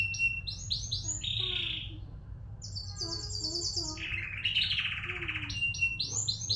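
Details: Canary song played as a lure to get canaries singing freely: loud, varied phrases of quick rising sweeps, buzzy rolling trills and sharp repeated chips, bright and high-pitched, over a steady low hum.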